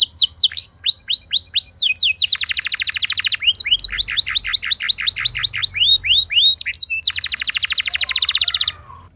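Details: Canary singing a lure song used to prompt other canaries into rolling song: high whistled downward-curving notes in quick series, alternating with dense buzzy rolled trills, all bright and high-pitched, near-continuous for nine seconds.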